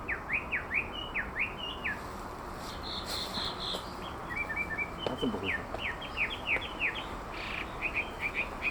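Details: A Chinese hwamei (Garrulax canorus) sings a loud series of slurred whistles, swiftly repeated three or four at a time, then shifts to quick trills and new phrases, over a steady background hiss.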